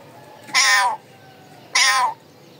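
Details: A parrot kept as a pet calls twice, each a loud, grating screech lasting under half a second, separated by a pause of about a second over a quiet background.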